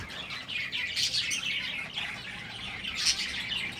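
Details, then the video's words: High, busy chirping from a group of breeding finches, notes running together into a twittering wash with brief louder peaks. "finches bird breeding"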